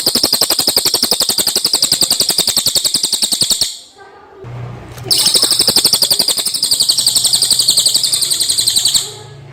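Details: Common iora song, clear, used for training magpie-robins. A long, loud, rapid high trill breaks off briefly with a faint low hum, then resumes for about four more seconds of dense chattering notes.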